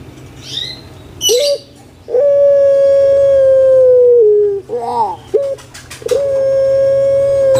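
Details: Kept large puter pelung spotted dove, valued for its booming voice: a clipped note, a two-second sustained tone sinking at the end, wavering notes, then another long even note, with brief clatter between.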